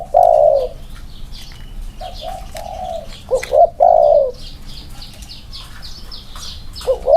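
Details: Two spotted doves in Thailand set side by side to compare their cooing: loud, low hooting coos, a strong burst near the start and again near four seconds, with softer coo phrases between and faint chirping of other birds above.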